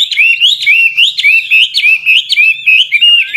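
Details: Old wild Chinese hwamei in continuous varied song used to encourage young birds to sing; fast chain of bright rising-falling whistled slurs, about three per second, rich and clean.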